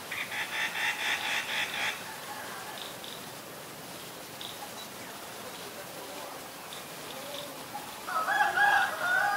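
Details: White-vented myna in Ubon Ratchathani, Thailand, recorded 9 March 2022: two seconds of fast, buzzy, pulsed chatter, a quiet gap with scattered faint notes, then loud harmonic whistled notes near the end.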